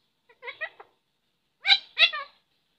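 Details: Talking parrot saying two short phrases: a soft trio of quick syllables, a pause, then two louder, rounder syllables; quiet background.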